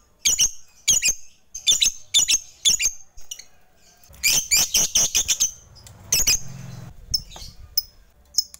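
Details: Lovebird fighter calling rivals, used to provoke listless, silent lovebirds into singing. It gives sharp, shrill high chirps in quick bursts, first singly and then in a rapid rattling series, with short pauses in between.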